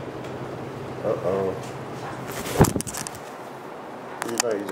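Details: A pet Hahn's (red-shouldered) macaw, Diopsittaca nobilis, asks for a kiss and gives one. It utters two short mimicked talking phrases with a sharp small kissing smack between them, over a low indoor fan hum.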